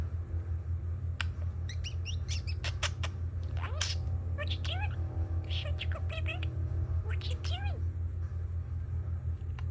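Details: Pet male budgerigar chatting and talking indoors while construction noise goes on outside: quick chirps, warbles and short rising and falling sweeps in uneven bursts, over a steady low hum.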